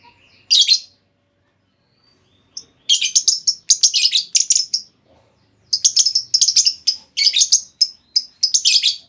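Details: Caged female lovebird giving lure calls meant to draw a long trilling answer from another lovebird: rapid runs of sharp, harsh shrieks in dense chattering bursts after a single opening screech.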